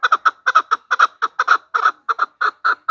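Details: Hen chukar used as a hunting decoy call, giving a steady string of hoarse, doubled chuk-chuk notes about three to four per second, evenly paced, with no other sounds.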